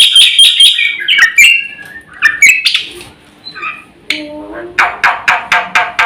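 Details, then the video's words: Black-winged myna delivering a varied training song: clipped whistled notes and harsh squawks, then a pause and a run of loud, evenly spaced raspy bursts. "SUARA BURUNG JALAK PUTIH GACOR FULL ISIAN JUARA HEBAT"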